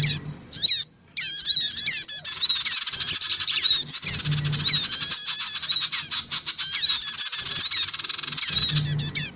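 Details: Black-winged cuckooshrike pair and young, recorded as a lure for small birds, give a nearly unbroken stream of shrill, rapid chirps and slurred whistles, thick and overlapping, with a faint low drone underneath.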